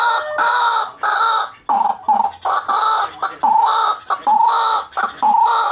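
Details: White-breasted waterhen lure call: loud, harsh, nasal phrases run almost without pause, broken by short gaps, with squeaky rising notes between.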